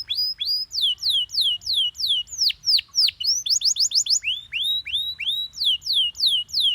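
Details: Yellow Belgian canary repeating clear downward-slurred whistles about three per second, with a quick rattling burst in the middle of the strophe.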